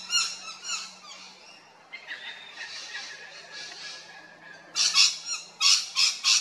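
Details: At Big Swamp Station in South Australia, rainbow lorikeets give harsh, strident screeches. A softer chattering passage gives way to a series of loud, rasping bursts repeated roughly every half second.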